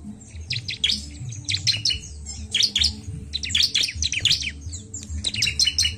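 Bar-winged Prinia giving quick bursts of high, sharp chirps in tight clusters, repeated about once a second, over a low steady hum.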